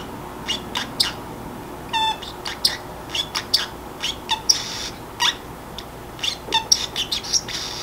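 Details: Free-roaming pet Pacific parrotlet chattering alone when drowsy: a rapid stuttering rattle near two seconds, then a string of crisp chirps, squeaks and whistled blips growing denser toward the end, quiet room hum beneath.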